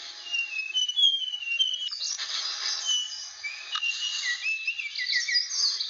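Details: Rare, protected blue flycatcher from Aceh, Indonesia, sings clear whistled phrases that slide up and down, with several sweeping notes in quick succession and a steady hiss behind.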